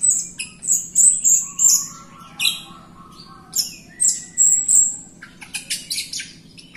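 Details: Jalak Rio myna song for training other birds: a quick run of high piercing whistled squeals, a softer low whistle, then more shrill squeals and a fast chattering burst at the end.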